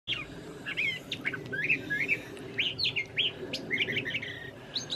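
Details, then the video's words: Curve-billed thrasher singing on a mild March evening in Santa Fe, New Mexico, among branches; a rich, continuous run of varied whistled and slurred phrases around the upper-middle range, with a meadowlark singing in the background. "Curve-billed thrasher Evening Song (Spottdrossel)"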